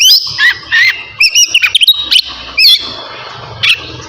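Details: Oriental magpie-robin of the navy type singing before bathing: scattered loud whistled and slurred notes with gaps between them, over steady low rumbling background noise.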